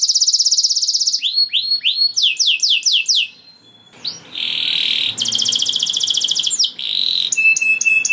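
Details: Canary singing to stir other canaries into breeding mood, mixing a fast trill, rising whistled slurs, a brief pause, then harsh buzzy rattles and clicking trills.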